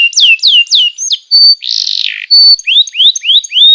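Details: Canary song used as tutor recording for young canaries: descending whistled slurs repeated three times, a steady high whistle, a harsh buzzy burst, then a run of rising upslurred whistles.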